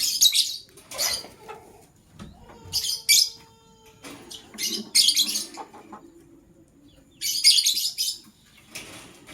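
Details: Male lovebird choosing a partner, morning chirping: repeated harsh, buzzy high chirps in clusters every second or two, with faint low whistles and tapping between bursts.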